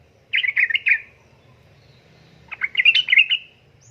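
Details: Calling female yellow-vented bulbul, in heat and summoning a male, used to lure birds; two lively phrases of quick, gurgling, chattering notes separated by a short pause, over a quiet low hum.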